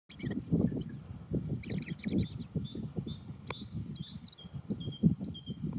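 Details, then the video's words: A European robin sings thin, high, wavering phrases with short trills and pauses, faint over a steady low rumble of wind or distant traffic. "Robin Red Breast singing"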